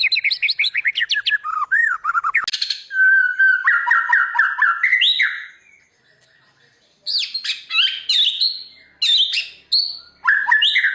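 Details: Murai batu, the white-rumped shama of Indonesian singing contests, in full mimicry-rich song meant to train silent birds. Fast varied warbles, slurred whistles and chattering phrases come in bursts, with a brief pause midway.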